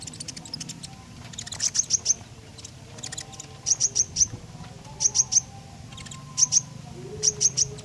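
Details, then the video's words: Repeated bright triplets of very high, sharp notes from a Common iora, roughly every second or so, used to prompt other birds to sing; faint ticking between phrases and low hum behind. "Tembakan JITU Burung KONIN Gacor, Sangat Cocok buat Pancingan."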